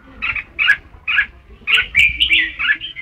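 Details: Red-whiskered bulbul: short, husky, chirping phrases, then a longer, bright, whistled warble near the end.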